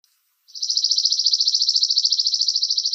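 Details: Chipping sparrow (Spizella passerina) song: a dry, rattling trill of rapid chips on one even high pitch, about a dozen per second, running steadily for over two seconds against quiet.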